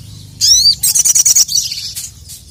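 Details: Crested jay, the sogon or sogok ontong, calling to provoke rivals: one sharp high down-slurred whistle, then a quick run of about six loud rattling pulses fading into softer chatter.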